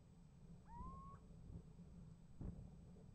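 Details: Little owl calling and being answered by another owl, recorded on a nest-box camera on 28 January 2015: a single clear upslurred whistle rising then held level, about half a second long, over low rumbling background noise.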